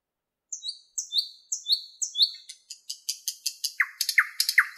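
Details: Thrush nightingale song in the Park of the 50th Anniversary of October, Moscow, May 2016. Four repeated high whistled notes, a fast run of clicking elements, then three lower downslurred whistles, each element repeated several times.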